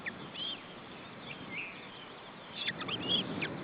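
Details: Female osprey feeding her three chicks at the nest in June 2012: a few thin, high whistled calls and short chirps, with a cluster of quick notes near the end, over a steady background hiss.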